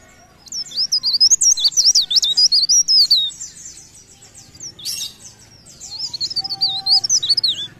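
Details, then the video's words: Energetic leaf warbler song of fast, wavering high whistles strung into two long phrases separated by a quieter gap, plus a faint steady tone near the end. "Cikrak daun Gacor"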